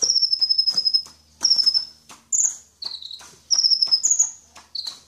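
A sunbird sings very high, thin, buzzy trills in short bursts about a second long, switching between slightly different pitches.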